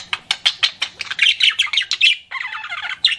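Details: Pet budgie flirting with a run of rhythmic scratchy chirps that speed up, then a smoother buzzy warble and one final sharp squeak.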